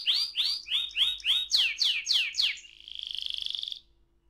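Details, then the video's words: AF canary in long rolling song: a series of bright upswept whistled notes, about three per second, growing stronger, then breaking into a rapid buzzy trill held for roughly a second before stopping. "KENARI AF ngerol panjang"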